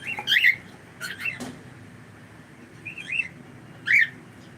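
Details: Cockatiel kept as a pet calling indoors: a series of sharp chirped whistles, some clustered and some spaced out, ending in one loud upswept call, with low background hum.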